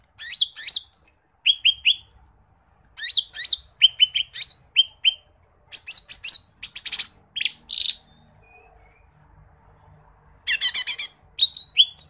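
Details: Lesser green leafbird singing 'gacor muntah isian', pouring out its repertoire: phrases of chirps and downslurred whistles repeated in groups, harsh rattling bursts, and short gaps between flurries.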